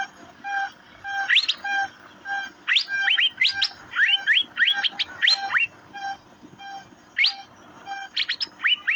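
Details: Asian fairy-bluebird (cucak biru) in a lively run of quick rising chirps, often doubled or tripled, with short pauses, over a continuous layered humming tone.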